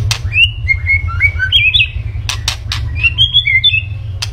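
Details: White-rumped shama singing vigorously: a quick run of clear whistled notes, some sliding and some flat, hopping between mid and high pitches. Sharp clicks break in between, over a steady low hum.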